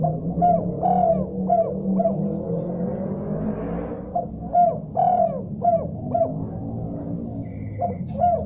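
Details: Spotted dove calling back after hearing another call: repeated phrases of soft coos, partly masked by a loud low hum and a brief rising whoosh in the middle.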